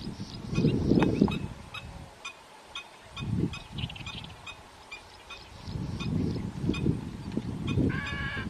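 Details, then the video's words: Garganey duck: clusters of coarse, low rattling notes separated by quieter gaps, with scattered high twitters from other birds and a brief nasal harmonic note at the end. "গারগনে হাঁস | Garganey duck"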